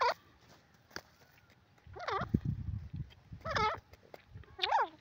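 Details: Grey francolin calling in loud, nasal, dipping-then-rising notes at irregular intervals, with a low human voice murmuring between the calls and a sharp click near the start.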